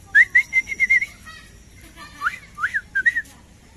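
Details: Black-crested bulbul kept by a family who raise local and foreign birds: a rapid run of six or seven clear whistled notes, a pause, then four louder slurred whistles rising and falling.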